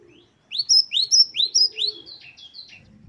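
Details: Great tit 'wucit-wucit' song for bird training: a fast phrase of sharp rising whistles, paired with higher notes, trailing into softer tail notes, with a faint low tone beneath.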